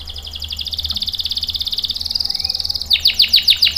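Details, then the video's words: Canary song for luring and training young males, starting with a long, fast buzzy trill of even pulsed notes, then switching near the end to louder, sharply descending whistled notes over a faint low hum. "SUARA KENARI GACOR ampuh buat pancingan dan masteran kenari paud dan macet | CANARY SINGING"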